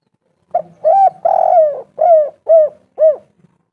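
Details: Spotted dove calling to draw other doves into answering: six low, husky coos in a row, the first ones longer and rough, the last ones shorter and arched, spaced about half a second apart.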